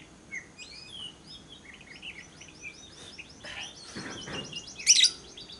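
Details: Lovebird in a lure recording used day and night to make lovebirds sing the long ngekek: varied high squeaky chirps and short twitters, ending in a loud sharp squeal.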